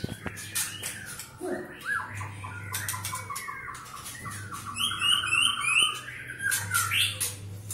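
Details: A Medan-type White-rumped shama (Copsychus malabaricus) sings at a fast pace, a varied run of rich whistles, chattering phrases and sharp clicks, over a steady low electrical hum.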